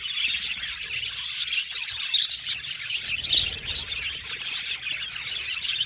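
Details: Many aviary budgerigars chirping happily together, a bright, dense chatter of quick high chirps and warbling notes running on without a break.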